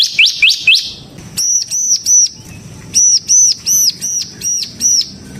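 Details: Semi-type bar-winged prinia used as a lure for other prinias: three quick upslurred notes, then a series of clear, arched high notes given singly and in pairs.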